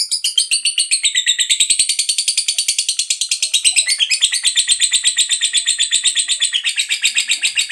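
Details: Lovebird of the fighter type giving a long ngekek chatter, played as a lure to stir other lovebirds into singing: a harsh, high, rasping trill of rapid repeated notes, nearly three per second, running unbroken for the whole stretch.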